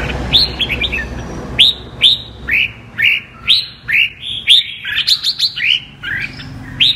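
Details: Apricot (mơ) red-whiskered bulbul singing giọng kép, the double-voice style: crisp rising whistles repeated about twice per second with occasional doubled notes, steady and lively throughout.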